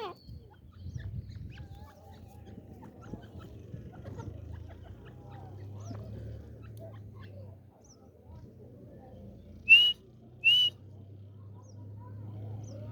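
A female grey francolin gives two sharp, high, slightly rising notes under a second apart, over a steady low rumble.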